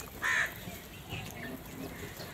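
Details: Crows, one of a huge flock, gathered and fighting over food; a single loud harsh caw rings out early, followed by fainter overlapping cries from other crows against a background of low rumbling noise.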